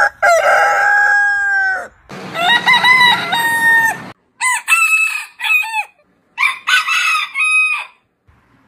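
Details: Several heritage-breed roosters crowing: a long harmonic crow, a rougher stepped crow, then a series of short, rising-and-falling crows separated by brief pauses.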